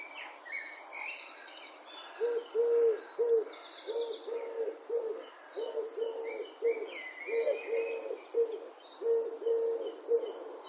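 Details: Repeated low purring coos of European turtle doves in Wittlich, 2017, rolling on in a long run of paired and grouped notes, partly masked by lively chirping from other birds.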